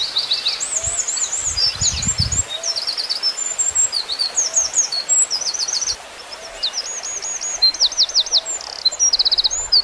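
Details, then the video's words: Wren singing a loud, complex song: rapid high trills and looping whistled phrases, many quick repeated notes changing in pattern, with low rumbling noise near two seconds. "Burung Wren singer, burung kecil bersuara rumit"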